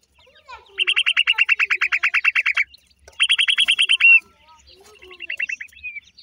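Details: Long rapid run of bright, falling peeps from black francolin chicks, then a shorter burst and a softer trailing series, with faint higher cheeps layered above.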